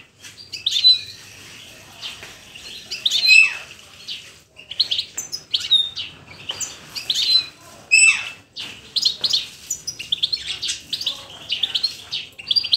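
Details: Goldfinch singing a lively, high twittering stream of quick chirps and thin whistled notes in bursts of a second or two, broken by brief pauses, with a few sharper rising and falling slurs.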